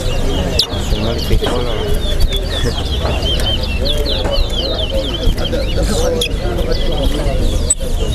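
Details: Chestnut-bellied seed finches (towa towa) in a bird singing competition at a bird ground sing rapid, sweet warbling phrases of high slurred notes almost without pause, over a steady murmur of crowd chatter.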